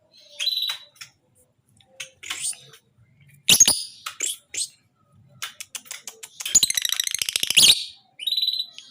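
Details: A tame but aggressive lovebird chattering in 'ngekek' style gives short high whistles and clicks, then a loud buzzy grating burst lasting about a second, followed by one more high chirp.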